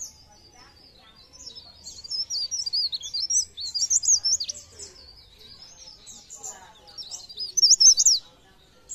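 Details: Pare pare bird song used to stimulate other pare pare birds to sing: a high, fast, twittering song with sweeping chirps in three bursts, the last and loudest near the end.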